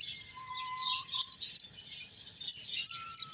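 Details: Finches at play and feeding keep up a lively high-pitched twittering, overlaid by a couple of long, level, pure whistled notes.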